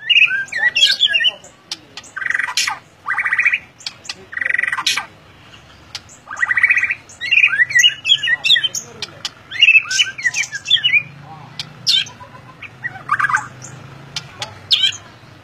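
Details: Long, vigorous ngeplong-style song from a white-rumped shama: loud full whistled bursts alternating with quick chattering notes and sharp ticks, repeated phrase after phrase over a faint low hum.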